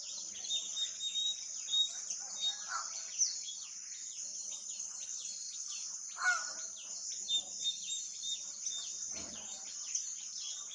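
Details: Scaly-breasted munia giving short, thin, high-pitched notes, repeated at irregular intervals, over a steady high hiss with a few soft low thumps.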